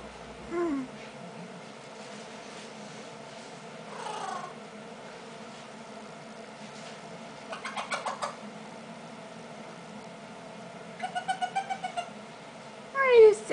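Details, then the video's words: A baby female eclectus parrot does her squeaky-toy noise on request and giggles: scattered squeaky, giggling bursts, some in quick stuttering runs, with a final shrill squeak over a steady low household hum. "Baby Female Eclectus Talking"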